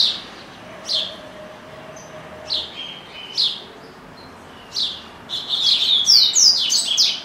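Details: Pet double-collared seedeater in a cage, said to keep singing all day; sharp high chirps repeated roughly every second, then a dense rapid string of slurred whistled notes, over faint low background hum.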